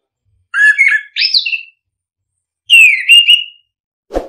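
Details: Orange-headed thrush song used as a lure to prompt reluctant caged birds to sing: two bursts of loud, varied whistled phrases, sliding and warbling high notes, separated by a pause, ending with a sharp click.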